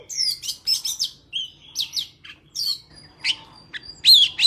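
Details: Oriental magpie-robin singing in a wild forest style, used for trapping and training young birds' voices: bursts of short, sweet whistled notes and fast trills, some sliding down, given in quick phrases every half second or so over a faint low hum.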